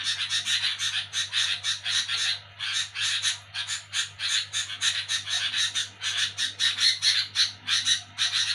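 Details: A sooty-headed bulbul chatters loudly at night, giving coarse, scratchy bursts in quick runs of three to four per second separated by brief pauses, with a faint low hum throughout.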